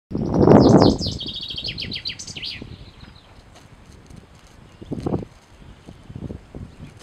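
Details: Male common chaffinch singing: a rapid run of sharp notes tumbling downward in pitch, closing with a quick flourish, over about two seconds, with a loud low thump at the start and quieter rustling afterwards.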